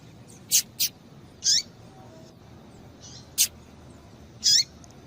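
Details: Female Double-collared Seedeater calling to stimulate a male to sing: short, sharp, high chip notes at irregular intervals, some paired closely, others single, with about six calls over five seconds and a quiet background hiss.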